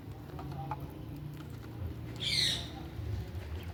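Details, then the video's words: A single harsh, raspy ringneck parakeet squawk over steady low rumbling background noise. "RINGNECK TALKING PARROT NATURAL SOUND"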